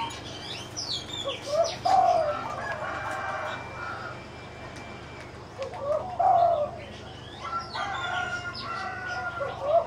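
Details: Caged spotted dove in the left cage giving low, slurred descending coos, one near two seconds and another near six, among busy chirping and whistling from other aviary birds.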